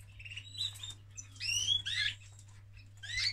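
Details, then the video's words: Male canary singing during mating: quick high chirps and twittering, sliding whistled notes in short bursts, with a steady low hum underneath. "Male of Canary Mating - لحظة تزاوج الكناري"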